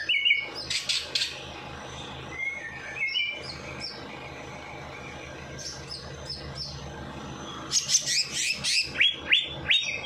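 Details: Song of a bird after its night bath, for encouraging lazy birds to sing: loud buzzy high bursts at start, a quiet stretch with faint whistles, then a vigorous run of sharp chips and trills.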